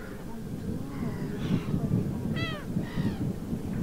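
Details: Water rail in the Suscinio marsh, Morbihan, France, recorded on 23 August 2022 during drought: a few harsh, squealing nasal calls, the loudest a descending squeal, over a heavy low rumbling background noise.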